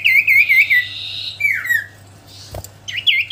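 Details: Common iora, a kept songbird, singing: clear whistled notes repeated in quick series, then a long buzzy tone and a falling slurred whistle, with a soft click and a low steady hum behind.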